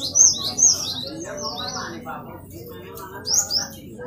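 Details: Great tit, a vigorously singing bird recorded as a training model for caged birds: short, sharp, very high chirps and slurred whistles in quick bursts, loudest near the start and again after three seconds, over a low murmur like voices.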